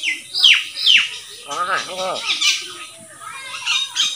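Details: Common hill myna, a talking bird that speaks various words: two sharp, high whistled notes sweeping downward, then a hoarse, voice-like phrase with stacked harmonics, followed by softer chattering.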